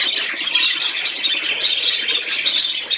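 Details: Playing budgerigar recorded 13 December 2019: a constant stream of shrill, buzzy warbling and rapid squeaky notes, steady in loudness throughout.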